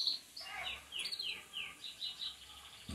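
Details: Belgian canaries sunbathing; a series of high, quick downward-sliding notes repeated several times, followed by short chirpy phrases over faint background noise.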